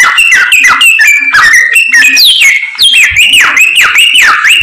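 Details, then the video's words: Samyong bird singing hard and persistently, with fast chattering whistles giving way to rolling, looping whistled notes that rise and fall about twice a second. "BURUNG SAMYONG GACOR, ADUHAI SUARANYA MANTAP"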